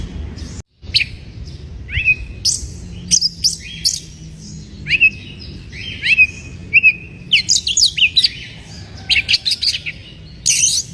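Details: White-rumped shama in breeding condition, singing to provoke rivals: rising whistles followed by rapid sequences of sharp, high chips and crackling notes, growing busier toward the end; low hum behind.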